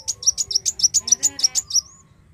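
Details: Black sunbird (kolibri wulung) singing: a fast series of about ten high, sharp chips, evenly spaced and alternating slightly in pitch, ending in a thin upward-curling note.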